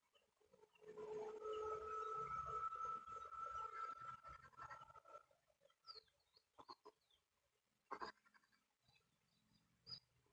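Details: Male Eastern imperial eagle arriving at the nest with his mate and three eaglets, near Almetyevsk, Tatarstan, Russia, early morning of 3 June 2022, gives quiet, deep, drawn-out calls over about four seconds, then soft rustling and scattered clicks.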